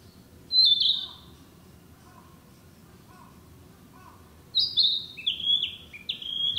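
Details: Narcissus Flycatcher, a summer breeding bird, singing in the woods: a clear whistled phrase, a pause with soft low notes, then a run of descending sweet whistles.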